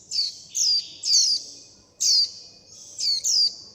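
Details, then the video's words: Fledgling warbling white-eyes calling mother and flock for food: thin, high, falling chirps, each about a quarter second long, in uneven groups with short silences between them. "Tiếng chim vành khuyên non gọi mẹ - gọi bầy - đòi ăn"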